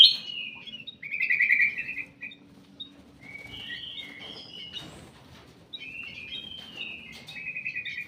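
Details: Ruby-throated bulbul kept in a private aviary, delivering short bursts of rapid trilled whistles separated by pauses, with faint rustling in between.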